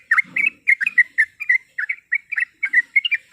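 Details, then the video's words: A female yellow-vented bulbul in breeding condition calls to a male, meant to provoke a rival. She gives loud, clear bubbly notes, often paired and rising then falling, in short clusters. Brief soft low grumbles are heard in the background. "Suara Panggilan Trucuk Gacor Mencari Lawan Auto Emosi"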